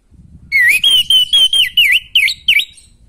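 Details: Orange-headed thrush song used to stimulate a bird with little breeding drive: about eight loud whistled notes in quick succession, several swooping down then up in V-shaped slurs.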